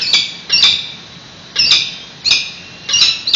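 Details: Peregrine falcons at a nest in San Francisco, picked up by a live webcam during a nest exchange on 28 May 2017 at 10:35 am. Harsh, grating, high squawks come in five bursts at irregular gaps of about half a second to a second.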